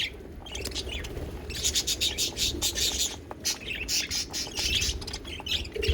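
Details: Singing pet budgies, or parakeets, give a busy run of bright, rapid chirps and scratchy warbled notes in bursts, with a brief pause near the start and steady low hum underneath.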